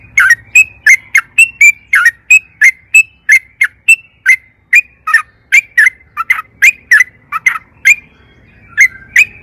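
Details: Sooty-headed bulbul giving long 'ropel panjang' song as a singing lure for caged birds; a sustained nine-second stream of crisp whistled and slurred notes, repeated roughly every third of a second.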